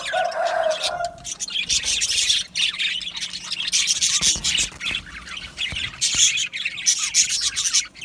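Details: Budgerigars in an aviary colony: a lower, steady squeaky tone opens, then a long stretch of dense, high, raspy chirping and warbling from many birds with brief lulls.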